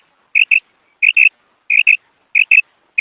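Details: Kark call of a female quail: crisp paired high notes, each pair roughly two-thirds of a second apart, four pairs in three seconds against silence.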